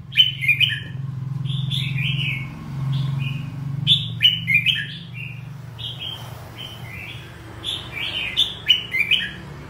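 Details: Red-whiskered bulbul in energetic song, clusters of bright chirpy whistles and falling slurs repeated several times, separated by brief gaps, with a low humming background.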